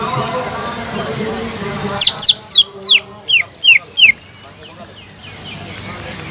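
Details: Greater green leafbird, a lively singer used as a lure to stir a silent leafbird into singing: seven sharp, steeply falling whistled notes, roughly three per second, then quiet over a faint steady hum.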